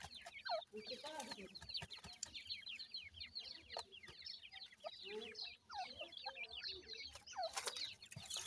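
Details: Francolin chicks being fed by a female keep up a dense, continuous chorus of shrill descending peeps. Occasional sharper, louder chirps and intermittent clicking or scraping noises are also heard.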